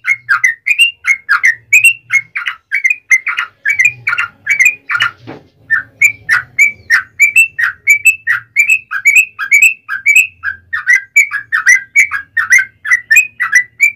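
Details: Yellow-vented bulbul delivering a long fighting song used to provoke other birds into answering: fourteen seconds of near-continuous, chattering, liquid whistled notes, with a brief scratchy noise in the middle and a faint low hum.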